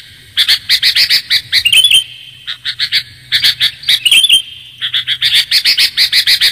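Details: Sooty-headed bulbul calling to lure birds: long runs of rapid, evenly spaced chattering chirps, interrupted twice by a short rising warble, over a steady thin whine and soft low hum.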